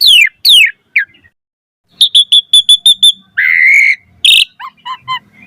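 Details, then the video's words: Asian pied starling lure song: steep falling whistles, a rapid string of short high chips, a drawn-out buzzy rasp and a harsh burst, then soft repeated chirps. "Suara Jalak Suren Gacor Variasi Full Isian Ampuh Cepat Respon Buat Pancingan Burung Jalak"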